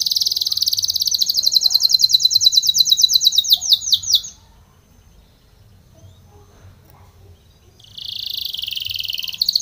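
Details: Spanish Timbrado canary training song: a bright, very rapid trill for four seconds that breaks into slower sweeps, a pause of quiet, then the fast trill resumes.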